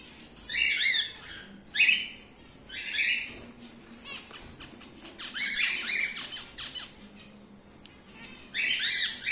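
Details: Emerald split cockatiels kept in pairs, a rare mutation; loud raspy squawks, some rising at the start, in irregular bursts, with brief softer scratchy sounds between calls.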